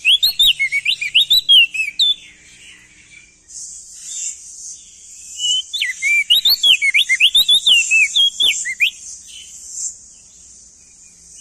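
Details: Male crested white-eye from East Nusa Tenggara in loud, full song: quick runs of bright, twisting whistles, an early burst, then a long rapid sequence after a pause, with a constant high-pitched buzzing behind.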